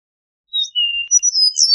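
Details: Eastern meadowlark song: a short high note, then a long level whistle, followed by a tumbling series of clear slurred whistles that climb and then fall away, with a quiet background.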